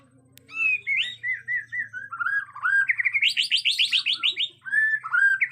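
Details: White-rumped shama from Borneo, agitated, in natural forest sound: a loud, varied song of clear whistled slurs that breaks into a fast run of bright, rapidly repeated notes, then returns to rich whistles.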